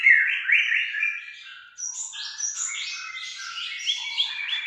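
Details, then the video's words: White-rumped shama from Aceh delivering a rapid, rich song of overlapping whistled sweeps and high chattering trills, loud at first and then continuing in busy, tumbling phrases. "Murai Batu Aceh"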